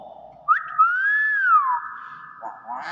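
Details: Common hill myna giving one clear whistle that jumps up, arcs gently, then slides down and holds a level tone; quiet room with soft human voices before and after.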